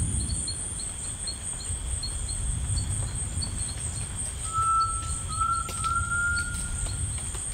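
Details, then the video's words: Tinamou song in rainforest: a single drawn-out clear whistle that begins level, then steps up slightly and glides gently higher before fading, set against continuous insect drone and rhythmic high ticking calls. "The Singing Tinamou"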